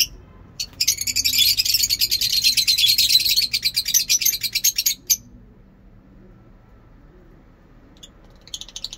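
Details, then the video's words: Caged lovebird performing a long ngekek song, a drawn-out, rapid, buzzy chattering trill. It runs nonstop for about four seconds, stops abruptly, and is followed by near silence and a few short chirps at the end. "Lovebird ngekek panjang"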